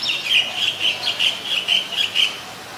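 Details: A White-vented (Great) Myna, Acridotheres grandis, in Ubon Ratchathani, Thailand, on 17 July 2020, gives a quick run of about eight high, scratchy chirps, roughly three per second, over a quiet background.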